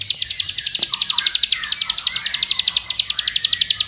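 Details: Bar-winged prinia (ciblek sawah) lure song, used to provoke other prinias into sustained singing: a fast, even train of sharp high chirping notes, about four per second, running unbroken for four seconds, with faint softer twitters beneath.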